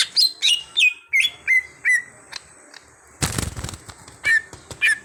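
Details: Greater green leafbird (cucak hijau), an untrained bird being developed into a steady singer: a series of falling whistled notes. A brief burst of rustling or wing-flapping follows, then more slurred whistles.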